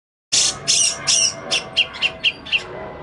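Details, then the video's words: Grey-cheeked bulbul (cucak jenggot), an untrained bird recorded as a lure and tutor recording: harsh, broad rasping bursts give way to a series of short clipped notes repeated about every quarter second. "pancingan/masteran cucak jenggot bahan"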